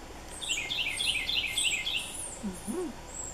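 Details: Red-bellied woodpecker fledgling begging as a parent feeds it among trees. A quick run of short, scratchy, repeated notes lasts about one and a half seconds. A few words of human speech follow, with faint high chirps from other birds behind.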